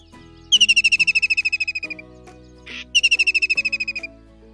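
White-throated Kingfisher giving two shrill, whinnying trills, each a fast run of about seventeen notes falling in pitch, over a steady low hum.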